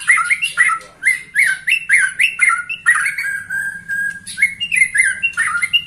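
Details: This 21-year-old white-rumped shama delivers short clear whistled notes in a bouncing, regular rhythm. One long flat whistle is held near the middle, with sharp high ticks throughout.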